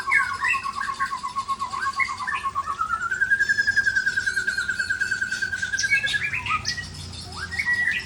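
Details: Singing white-rumped shama, tail flicking as it spills out its fill-in repertoire: a long steady rattling trill that rises in pitch midway and holds, followed by scattered sharp whistles.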